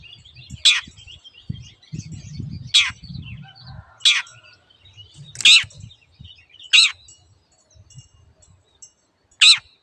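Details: Long-tailed shrike on a master track for caged birds: six harsh, scratchy notes spaced one to two seconds apart, with faint chirping and low noise between.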